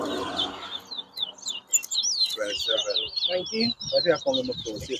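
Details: Twa-twa (Large-billed Seed-Finch) singing in a bird whistling competition at Bath Settlement, Guyana, 2022: rapid high whistled phrases with quick up-and-down slurs, continuous over the clip, with people talking and crowd murmur underneath.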